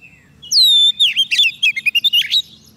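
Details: Oriental magpie-robin fed on soft food, singing to call wild birds: a loud falling whistle leads into a fast string of warbled, chirping notes lasting about two seconds.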